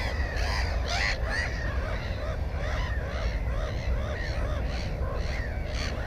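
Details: Black-headed gulls around a nest with one egg and one chick, recorded on a GoPro 4 in May 2016, give a dense run of short, bent, rasping calls, one louder cry near the start, against constant low wind noise.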